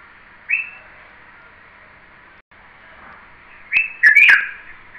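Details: Red-vented bulbul calling: one short clear whistled note early, then after a pause a louder burst of bubbly, slurred whistled notes near the end, with constant background hiss.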